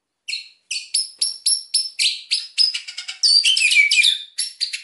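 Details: White-rumped shama in emotional song meant to provoke silent birds: a steady series of sharp, high, clicking double notes repeated several times a second, building into a dense chattering flourish.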